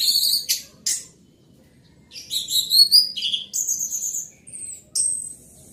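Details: Loud orange-headed thrush song made of short sharp notes followed by a sequence of clear whistled phrases, some descending, others steady and high, with brief gaps.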